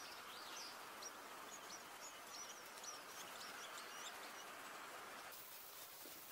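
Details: Red-backed shrike feeding its nestlings: busy bursts of high, thin chirps and squeaks, roughly three per second, bunched in the first part, then fading out over a constant hiss.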